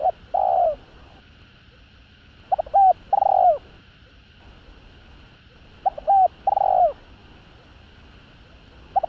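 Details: Spotted dove (cu gáy), a calling, driving and cooing sequence played to rouse rival males: repeated phrases of two quick short notes then a longer falling coo, about every three seconds, over a soft steady hiss.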